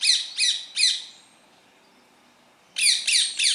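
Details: Indian parrot perched in a tree amid green natural surroundings, giving loud, harsh, grating squawks: three in quick succession, a silent pause of about a second and a half, then three more rapid squawks. No other sounds are clear.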